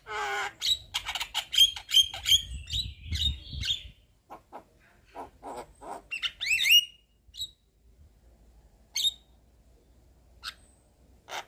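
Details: Lure chatter from a white-eyed Javan myna: a loud opening burst of squawks and short whistles, then spaced rasping notes, a rising looped whistle, and sparse single calls in near silence.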